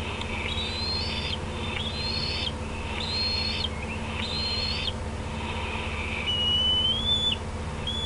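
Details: Bald eagles at the Decorah nest on 18 June 2016 at 8:48 PM, a parent landing on an outer branch as juveniles approach; thin high whistled calls repeated about every second, then a long piping whistle, over steady low hum.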